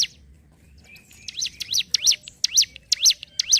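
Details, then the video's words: Ciblek gunung, a prinia kept as a songbird, sings its rapid ngentrok song. After a quiet start, bright high chirps dipping and rising in a V-shape repeat about twice a second. "CIBLEK GUNUNG GACOR NGENTROK"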